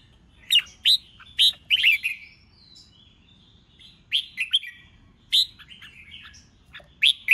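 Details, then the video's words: Caged red-whiskered bulbul provoked to sing for a song contest: clear rich whistles in short clustered bursts, pauses of about a second between groups, with soft thin trailing notes in between. "Chào Mào Kích Bổi Nhanh Ra Giọng CHÉ CHÉT,Kích Chào Mào Hót Đấu | Chào Mào Kích Trống Hót"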